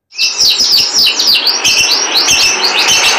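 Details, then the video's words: After a brief silence a canary bursts into a rapid high warbling trill with piercing thin whistles, steady and unbroken. "Suara burung kenari merdu"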